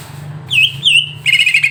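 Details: Greater green leafbird song used to provoke another leafbird into an emotional response: after a low hum, a loud wavering whistled phrase, a brief pause, then a fast rippling trill of bright repeated notes.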